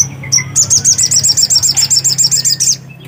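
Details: Black-capped white-eye in lively song: a couple of thin high introductory notes, then a rapid string of roughly sixteen sharp, high, slurred notes delivered at a steady pace over a low hum.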